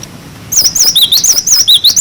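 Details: Cinereous tit in wucit wucit song, used to tutor young birds: after a brief quiet start, a fast series of sharp, clear, wavy whistled notes, switching between a high and a slightly lower pitch.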